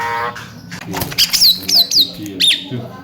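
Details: Javan myna singing in the mblegedeg style, used as a lure to prompt silent mynas to sing: a low harmonic, voice-like note, then bright high whistles sliding downward and sharp chirps in quick succession.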